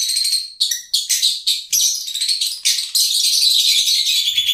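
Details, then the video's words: Rapid lovebird squeaking and twittering, high and scratchy, in quick uneven pulses with no quiet gaps. "Love Birds Nature Sound"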